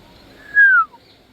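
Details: An African grey parrot gives one smooth whistle that glides gently downward and fades, in near silence.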